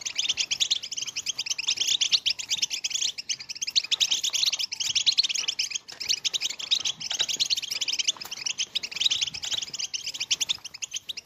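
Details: European goldfinch song in the bitbita style, played to stimulate silent goldfinches to sing: a continuous dense run of high, rapid twittering and tinkling notes with brief buzzy trills, without pause.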